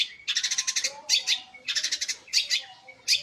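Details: Energetic long-tailed shrike, noted for singing day and night, pours out loud rattling chatter in repeated bursts roughly every second, each a quick stutter of harsh notes followed by a squeaky rasp.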